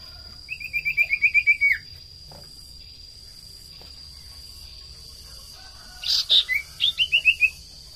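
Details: Common iora used as a lure to make small birds sing, delivering a quick chain of about ten even trilled notes ending in a downward slur, silence, then two sharp notes and another short trilled run over a constant high tone.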